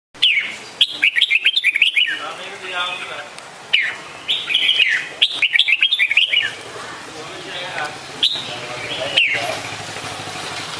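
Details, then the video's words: Red-whiskered bulbul calling: bursts of quick, bubbly whistled chirps, sharply rising and falling, come in dense clusters near the start and again mid-way, with quieter scattered notes and soft background hiss between them. "นกปรอดหัวโขน - Red-whiskered Bulbul call very well"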